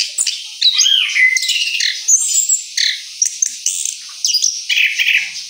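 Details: Orange-headed thrush singing its rolling song after moult: a fast, continuous stream of high chirps, slurred whistles and trills in short bursts separated by brief breaks.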